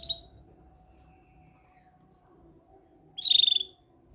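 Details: Canary heard in a quiet room: a sharp high note at the start, then after a long pause a loud, fast, buzzy pulsed trill lasting about half a second.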